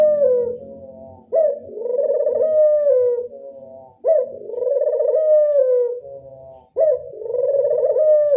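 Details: Classic angungan coo of a local Barbary dove: three long, mellow, low coos, each opened by a brief abrupt upward note and held for about two seconds, coming roughly every two and a half seconds.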